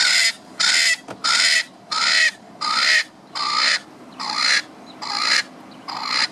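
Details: One of a pair of Swainson's spurfowls calling while the other takes a dust bath: a loud series of harsh, grating, rasping screeches, about nine in six seconds at a steady pace.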